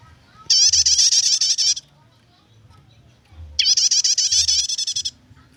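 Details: Prinia song in the chattering nyetater style, used for luring or training birds: two bursts of rapid, buzzy, high repeated notes, each about a second long, separated by a pause, over a faint low hum.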